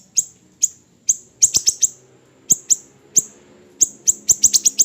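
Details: Siri-siri kecil tutor recording for training birds: very high, clipped, downward-sweeping chips, spaced singles building into rapid clusters of four or five.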